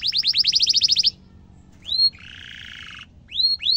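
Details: Canary in tutor song for young and adult birds: a fast trill of rising notes, one slurred whistle, a buzzy rattling roll, then two more rising whistles.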